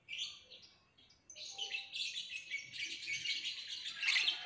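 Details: Lovebird opening with a short chirp, then a long, dense, rising chatter of high raspy twitters ending in a loud sharp note.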